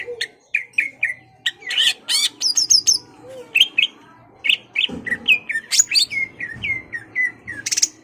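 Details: Greater green leafbird singing to provoke a rival: crisp repeated whistled notes, buzzy rattles and a falling series of slurred whistles near the end, with a faint background hum.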